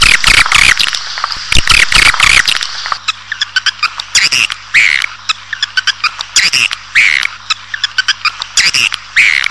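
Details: Swiftlet lure sound for attracting a colony indoors: loud harsh buzzy chatter opening the recording, then irregular sharp clicks and intermittent high twittering bursts over a low steady hum.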